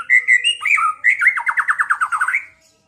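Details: White-rumped shama song meant to provoke a rival into fighting and singing: clear whistled phrases followed by a fast run of about a dozen rhythmic, repeated notes, loud and clean with no other sounds.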